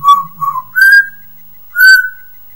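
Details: Pet Geordie parrot indoors giving clear whistled notes: two lower steady tones, then a higher rising whistle, a pause, and another bright high whistle, in a quiet room.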